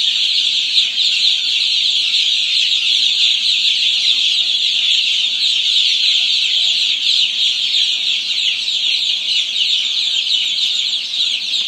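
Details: Many heritage chicks in a new brooder barn, their high-pitched peeping overlapping into a steady, unbroken shrill chorus lasting throughout, rapid individual chirps blurring together.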